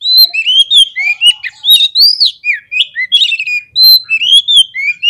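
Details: Lure song of an Oriental magpie-robin meant to stir rival birds to aggression: a continuous stream of bright whistled notes, upslurs, downslurs and quick trills, with almost no pause.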